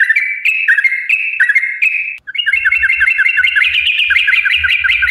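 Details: Spirited yellow-vented bulbul song in the 'gacor' style, used to provoke other bulbuls: several level whistled phrases, a brief break, then a fast tumbling run of bubbly chirps, over quiet low thumps.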